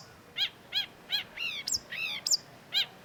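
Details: Cendet, the long-tailed shrike, in full song as a lure for a stalled bird: evenly spaced high chevron-shaped notes, interrupted midway by two longer upslurred whistles that climb steeply, then one more chevron note.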